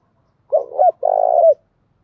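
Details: Spotted dove decoy call from a female bird, meant to excite males: a brief wavering coo followed by a longer rolling, burry coo that drops at the end. Nothing else audible.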